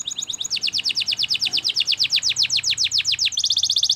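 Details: Belgian canary song made of steadily repeated down-slurred whistled notes, about four a second, ending in a tight, fast metallic roll, with a faint low hum underneath.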